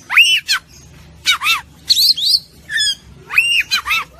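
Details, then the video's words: Fighter-style kacer, an oriental magpie-robin: loud harsh arched squawks with a ringing edge, given in separate bursts about once a second, with one twisting whistled phrase in the middle. "MASTERAN KACER JADI FIGHTER"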